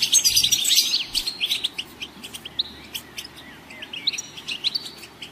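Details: Goldfinch song: rapid high twittering with liquid trills and buzzy notes, loudest in the first second, then scattered quicker chirps and short trills with brief pauses.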